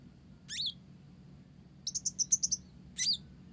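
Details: Blorok-type olive-backed sunbird singing with Java sparrow phrases: a buzzy downslurred note, a quick rattle of about eight high clipped chirps, then another buzzy descending note.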